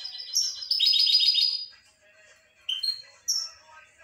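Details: Rapid twittering from a European goldfinch, opening with a dense rattling trill, then a pause followed by a few sharp rising whistled notes.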